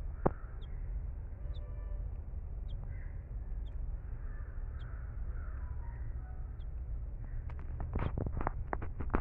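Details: Young red-vented bulbuls (subspecies haemorrhousus) of a family nesting at a house in Sri Lanka give begging calls: thin, high cheeps about once a second, softer mid-pitched notes, harsh bursts near the end, over a low rumble.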